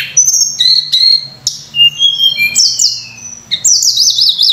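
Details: Sunda robin song used as a lure for training other birds: clear whistles at shifting pitches followed by a rapidly warbling, wavering high phrase, with a faint low hum beneath.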